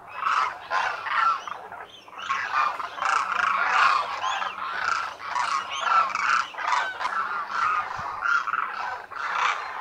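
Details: Demoiselle Cranes, known locally as Koonj, gathered in thousands at a lake in Khichan, Thar Desert, Rajasthan, India, in winter; a loud crowded din of honking, rolling croaks pulsing in waves without pause.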